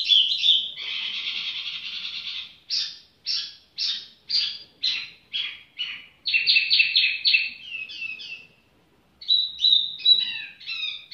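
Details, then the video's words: Tiểu mi bird song: a buzzy rich opening, then evenly spaced downward-sliding notes about two per second, a fast chattering run, a pause and more quick high notes. "chim tiểu mi chơi lai rai"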